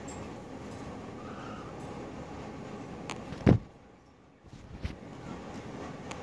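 Steady low indoor rumble, broken by one sharp thump near the middle, a brief quiet gap, then faint knocks and the rumble returning; no animal voice is heard.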